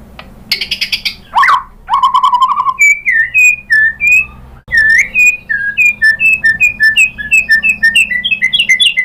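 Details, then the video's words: White-rumped shama's mimicry-rich lure song: a few harsh rasping notes and a long swooping slur, followed by an extended series of short clear whistles repeated at a brisk, even pace. "KICAUAN MURAI BATU bikin NYAUT ikut GACOR BONGKAR MATERI ISIAN ¦ PANCINGAN MURAI¦ SHAMA BIRD"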